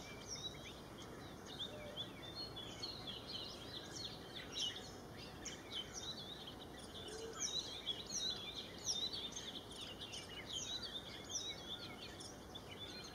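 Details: Small minivets foraging on the floor of scrub forest give thin, high chirps and short twittering notes in quick, irregular succession over a steady hiss of background noise.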